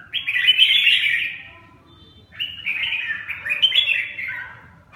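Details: Red-whiskered bulbul singing two bright warbled phrases of quick slurred whistles separated by about a second of quiet, the second phrase longer and more varied.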